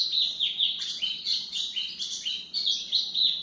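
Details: White-throated seedeater singing to train young birds: a fast, continuous run of high warbled and whistled notes, with quick up-and-down slurs repeated several times a second and steady loudness throughout.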